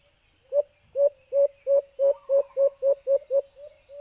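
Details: White-eared brown dove call played through a small Bluetooth speaker as a hunting lure: a series of about eleven low, hollow hoots at a steady pitch, about three per second, speeding up slightly toward the end, with a faint electronic hiss.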